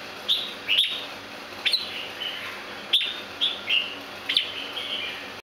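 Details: Farm-bred red-whiskered bulbul, described as an extremely rare Santa Claus variety, calling with crisp chirps and short downslurred whistles, roughly twenty-three per minute at an uneven pace, against a faint continuous high hiss.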